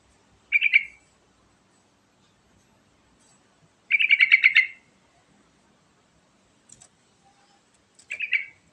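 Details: Sooty-headed bulbul singing energetically, meant to coax other birds to sing: short, rich warbled phrases of quick repeated chirps, a brief burst, a longer rattling run near four seconds, then another short phrase, over a near-silent background.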